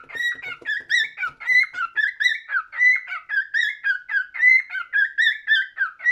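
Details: Cockatiel singing indoors: a steady run of clear whistled notes with harmonics, each wavering and slurring up and down, delivered in even pulses about three per second in a small quiet room.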